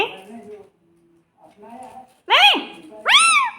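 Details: Parrot imitating a cat's meow: soft murmuring sounds first, then two loud, harmonic, arched meows near the end, each under half a second long.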